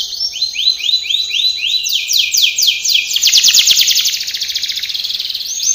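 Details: Canary singing a training song: a run of falling slurred notes, then a fast buzzy rattle and a brief return to higher notes.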